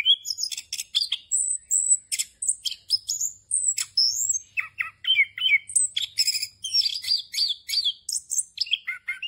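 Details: Punglor kembang, or orange-headed thrush, pouring out a fast varied song: long high whistles, clicking chips and short warbled phrases trade places without gaps, the rhythm busy and unbroken.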